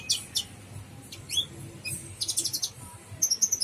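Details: Brown-throated sunbird called kolibri ninja, singing in 'gacor full isian' style: a few high chips, a quick upward-sweeping note, then a dense rattling run of shrill notes and a final burst of thin squeaks.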